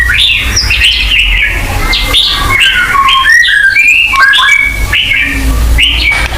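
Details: White-rumped shama song compilation meant to make pet shamas sing more: a fast stream of short whistled slurs and chirps, rising and falling, with constant low background rumble.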